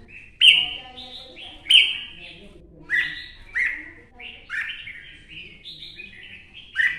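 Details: Wild-caught adult red-whiskered bulbul from Quảng Nam forest, Vietnam, gives loud clear warbled phrases. Sharp bright onsets fall into rolling, slurred whistles, repeated in bursts roughly every one to two seconds. The background is quiet.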